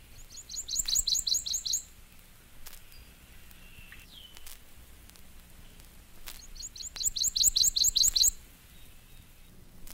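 Prothonotary Warbler singing two bursts of about eight loud, ringing, high notes repeated evenly and quickly, with a pause between phrases.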